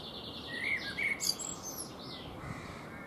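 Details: Eurasian blackbird singing while preening on a fruit tree: a few short fluty whistled notes at mid pitch, then thin, higher twittering phrases, all fairly faint over steady low background noise.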